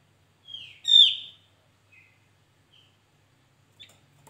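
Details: Javan white-eye recorded as a trapping lure: a quiet introductory whistle, then one loud falling harmonic-rich note, followed by a few faint chirps and silence.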